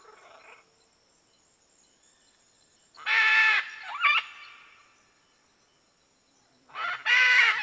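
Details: Red-and-green macaw calling with harsh, grating screeches, a long rasping squawk with a warbling tail, a pause of a few seconds, then another loud burst; faint background hiss.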